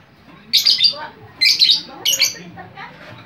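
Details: Lovebird chattering noisily, described as chatty and drawing other lovebirds in: three loud, harsh, high squawky bursts about half a second each, with faint background chatter between.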